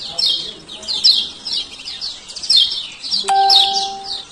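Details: Male lemon-bellied white-eye from Lombok with 'ciak ciak' lure calls for birds that will not sing; quick high chirp bursts, and near the end a steady electronic chime-like tone sounds.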